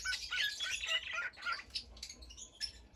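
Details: Cockatiel, a pet parrot, chirping: a dense run of bright chirps and chatter over the first second and a half, then sparser short notes and a sharp squawk at the very end.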